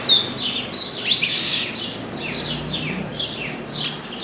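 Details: Chestnut-capped blackbird perched in an orange tree, singing persistently: high, sharp downslurred notes in quick runs, with a brief loud hissing burst midway, then softer repeated slurred phrases.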